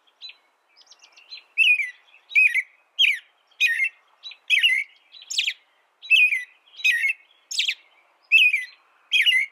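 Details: Steady series of short warbled whistles from an American robin, starting softly then louder phrases coming about every half second, some with high squeaky ends.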